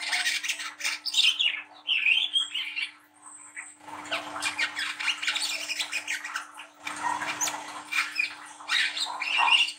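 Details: Young speckled-stage Brown-throated sunbird singing busily in a rough chattering style, played as a lure to get other young birds singing: dense, harsh, buzzy high twitters and trills in rapid bursts, with hissy noisier stretches and a steady low hum.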